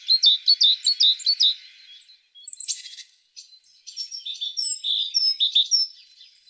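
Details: Tit singing a rapid string of high chirped notes, then a brief harsh buzzy burst, followed by a looser, varied run of thin whistles and chirps.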